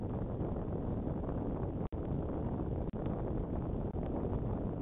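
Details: Muffled wind buffeting the microphone with a few short dropouts, and no animal voices.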